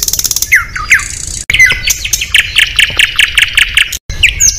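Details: Oriental magpie-robin competition bird singing its fill-in song material at a contest among rival birds: varied whistles and falling sweeps, then a steady run of rapid, repeated chattering notes, broken by two abrupt silent cuts.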